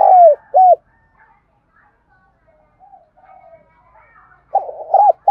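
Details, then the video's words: Spotted dove giving its urging coo, a recording used to lure wild doves: two loud low hollow coos at the start, a quiet stretch with faint soft murmurs, then another pair of strong coos near the end. "cu gáy thúc gù sung nhất// Tiếng cu gáy cực hay dùng kích bổi tập mồi thì khỏi bàn"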